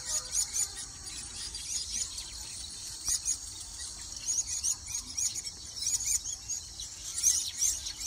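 Baya weavers chatter in high, thin, squeaky chirps and wheezy notes, many overlapping in a steady busy chorus with brief louder bursts.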